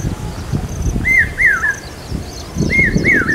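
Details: Monsoon calling of a common hawk-cuckoo near Aurangabad, taken as a sign of coming rain: two pairs of loud whistled notes, each dipping and rising, separated by a short pause, with soft high bird chirps and background rumble.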